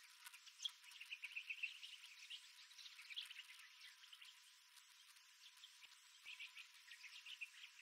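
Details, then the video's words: Desert birds at dawn along Wolfe Creek Crater's rim, Western Australia's Kimberley, recorded with a GoPro Max 360: continuous mix of high chirps and short buzzy trills, fading slightly mid-way before picking up again. "Bird Sounds - Wolfe Creek Crater - Western Australia"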